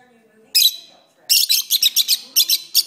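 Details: Pet lovebirds singing during a long session: sharp, harsh high chirps in a rapid run of about eight bursts after a short opening call, with faint low murmuring in the background.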